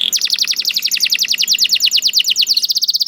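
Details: Canary song: a fast, even trill of high, sharply falling notes at about ten per second for most of the phrase, ending in a short, steady whistled note. The recording is clean, with no other sounds.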